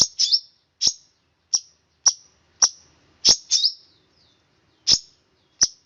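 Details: Long-tailed shrike delivering sharp, high, clipped chirps roughly every half second, some paired, in a "roll speed rapat" song with clean silence between notes.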